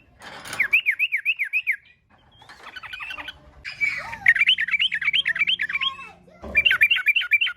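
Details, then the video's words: Yellow-vented bulbul song, gacor tarung garuda style, used to prompt other bulbuls to sing: fast zigzagging trills in three bursts separated by quieter, scratchy passages. "Kicau Trucukan GACOR TARUNG GARUDA ini Efektif Untuk Pancingan Trucukan Agar Bunyi"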